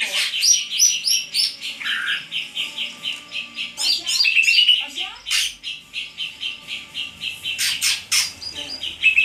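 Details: A greater green leafbird sings 'on fire' with a restless stream of sharp chirps, squeaky notes and short trills. Brief bright whistles are woven in, and the phrases come in quick uneven bursts.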